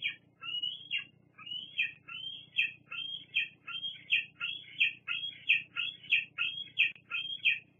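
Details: Juvenile bald eagle at a nest cam on Fraser Point, Santa Cruz Island, 8 August 2022, squeeing at adults for food; high, slurred squealing notes rising then falling, repeated steadily about every half second, with low hum beneath.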